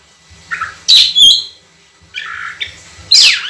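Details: Oriental magpie-robin (kacer) singing long, clear phrases: a short whistle, then loud piercing notes, rasping buzzy bursts and a final harsh downward-sweeping note, over a faint low hum.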